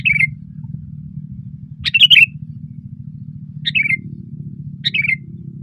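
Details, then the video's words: Sooty-headed bulbul singing loudly (gacor) from a branch, giving four short liquid phrases that drop in pitch, one fuller burst near two seconds, with a persistent low rumble behind. "SUARA BURUNG KUTILANG GACOR KERAS KETIKA DIATAS RANTING"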